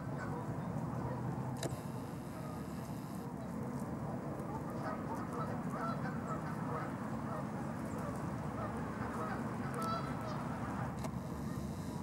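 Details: Canada geese filmed in Los Gatos, California, USA, on 16 March 2019: a large flock keeps up a dense, continuous chorus of overlapping nasal honks and chatter, with no pauses between calls.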